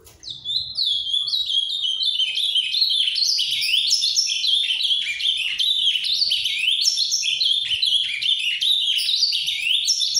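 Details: Ultramarine grosbeak (azulão), a captive-bred bird of the 'farrapo' type in canto paraná style, singing a long, dense, continuous warble of rapid high sweeping and slurred notes with no pauses, and faint low room noise underneath.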